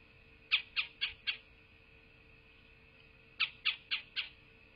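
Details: Bald eagle at a nest in southwest Florida, 8 November 2023, 12:47: two bursts of four sharp, high, squeaky piping notes about a quarter second apart, separated by a pause of about two seconds, over a steady electronic hum.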